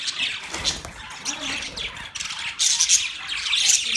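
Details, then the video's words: Several budgies recorded on November 19, 2023, keep up a busy chatter of high, scratchy chirps and squawks. The calls overlap continuously and grow louder and denser toward the end. "Cute Budgies chirping sounds"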